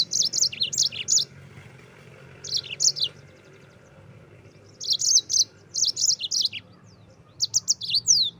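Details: Rolling 'gacor ngerol' song of a yellow-fronted canary, used as a tutor recording for white-eyes. Quick clusters of high, thin tweets and down-slurred notes repeat in bursts, separated by pauses of about a second, over a soft low background hum.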